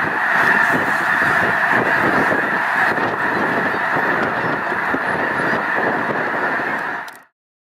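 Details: Massive flock of Snow Geese, over a million strong, at Loess Bluffs National Wildlife Refuge on 21 February 2020. Dense honking din runs steadily for about seven seconds before cutting off abruptly into silence.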